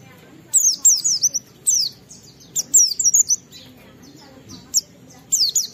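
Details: Oriental white-eye singing loudly and clearly, used as a lure to make other white-eyes respond and sing: high, thin descending whistled notes in quick bursts of three to five, separated by short pauses.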